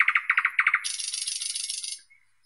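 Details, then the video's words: Thrush nightingale in full song: a quick series of rich, deep chocking notes followed by a dense, high buzzing trill lasting about a second. "Голоса птиц Как поёт Соловей обыкновенный (Luscinia luscinia)"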